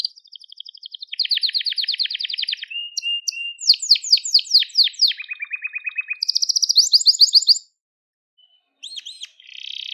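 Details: A crested Gloster canary sings strings of fast trills and buzzy rattles, brief whistles and descending sweeps, then stops for about a second before a few looping notes and a final trill. Made for training young canaries.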